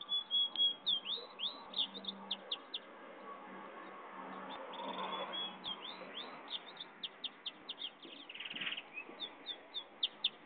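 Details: Goldfinch-canary hybrid bird delivering bursts of high whistles and rapid repeated chirps in two phrases separated by a pause, with a brief buzzy note midway and light background noise.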